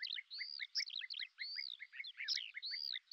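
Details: Lesser grey shrike, a hovering hunter, with a busy, chattering song: repeated short downslurred notes in a steady rhythm under longer arching whistles and quick twittering phrases, all high and continuous.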